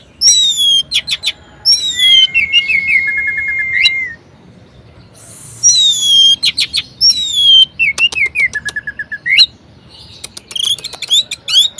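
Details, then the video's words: Orange-headed thrush in a cage singing a varied song to excite reluctant birds: high descending whistles, long steady whistled notes sliding lower, and quick chips and trills between phrases. "Anis Merah Gacor Variasi Bangkitkan Emosi Anis Malas Bunyi Agar Rajin Berkicau"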